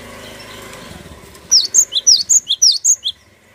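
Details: Cinereous tit singing as a lure for other birds: a low rumbling background hum fades as a clear series of about ten high, sharp notes rings out, alternating up and down in pitch.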